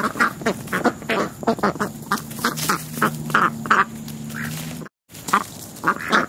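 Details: Family of tame American black ducks visiting a house and taking food from a person; a steady stream of hoarse quacks, some paired, with a low hum underneath and a short break near the end.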